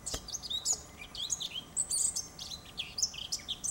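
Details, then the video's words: Eurasian blackcap song in a garden, a busy, high twittering warble of varied squeaky and chirped notes running continuously, thin and bright, with a soft click near the start. "Zwartkop in de tuin - Fauvette a tete noire chante"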